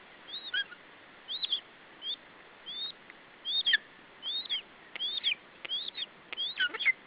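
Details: Lesser spotted eagle chick on its nest in Estonia, 21 July 2012, defending food against the male. Paired high whistles, each sweeping up and then dropping, grow closer together and louder as the sequence goes on.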